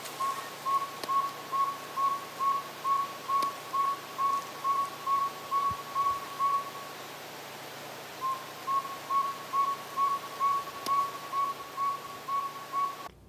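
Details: Northern Saw-whet Owl, a tiny owl of the eastern United States, giving its rapid repeating toot call: steady, evenly pitched whistled toots, about two per second, in a long series with one brief pause; faint background hiss.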